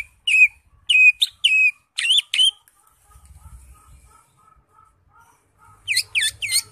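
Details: Greater green leafbird singing vigorously in gacor full isian style with raised crest: clear falling whistles and quick doubled notes, a soft faint twitter in the middle, then a closing burst of rising chirps.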